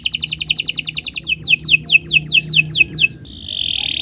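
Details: Long-singing canary used to train other birds: quick high trill, then repeated downward-sweeping whistled notes about three per second, ending in a soft buzzy hiss.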